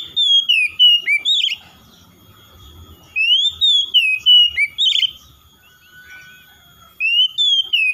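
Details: [0]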